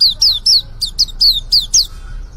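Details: Short phrase from a young white-eye first trying its song: eight or so shrill, downward-sliding chirps in uneven rhythm, fading out at the end.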